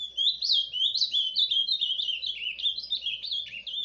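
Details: Ultramarine grosbeak, Paraná, soft surdina song: a continuous high twittering warble of quick rising and falling notes with no pauses.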